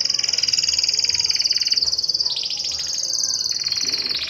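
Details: Canary; song; courtship, stimulating females to mate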